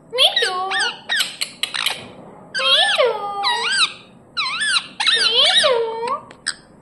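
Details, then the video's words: Pet talking parrot indoors saying sweet things: squeaky, speech-like syllables with bending, wavering pitch, delivered in short phrases of about a second separated by brief pauses, with no other clear sounds. "बोलने वाला तोता 🦜❤️ Parrot Talking"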